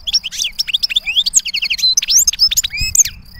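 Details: European goldfinch giving a clean, beautiful song: a fast, tumbling stream of bright twittering notes, sharp upslurred whistles and short buzzy rattles, packed tightly together with barely a pause.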